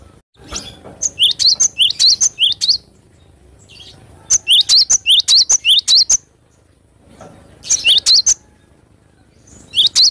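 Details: Vigorous song of a cinereous tit in three separate bursts, each a quick string of bright, high paired notes with upward-flicking chirps, separated by pauses of about two seconds with a faint background hiss.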